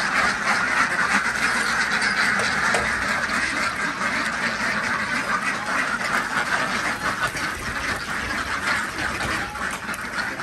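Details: Flock of Desi ducks at a village farm in Andhra Pradesh during morning egg collection, giving a continuous, loud chorus of rasping quacks, roughly three per second, overlapping without pause throughout.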